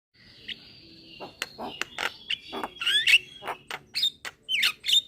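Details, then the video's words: Young Javan myna singing vigorously while nodding its head. Opens with a faint, steady drawn-out whistle, then a fast run of sharp clicks, harsh rasps and short whistled upslurs that grows louder toward the end. "Burung Jalak Kebo Muda Gacor Manggut - Manggut"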